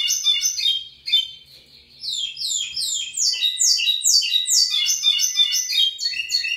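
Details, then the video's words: Local lined seedeater (pico plat) singing strongly: a fast run of high, buzzy, downslurred notes, short pause near one second, then a sustained sweeping series of chattering slurs about two per second. "Local Pico Plat singing big"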